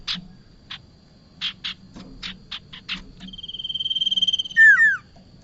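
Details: Bar-winged prinia lure sound used for trapping birds: a few short scratchy chips, then a long, even, rapidly pulsed trill that swells in loudness, ending in two loud, slurred, downward-sweeping notes.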